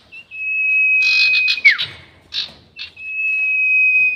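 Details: Sirtu bird giving a 'nyiul panjang' long whistle, used as a trapping lure: a level, sustained whistle overlaid by rough, rasping bursts, then a quick falling slur, harsh notes, and another long, even whistle to the end.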